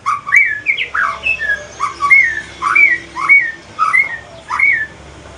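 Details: Evening pastol-style song from a male Aceh white-rumped shama: a fast string of loud whistled notes, each rising sharply then falling, repeated nearly twice a second with small variations between them.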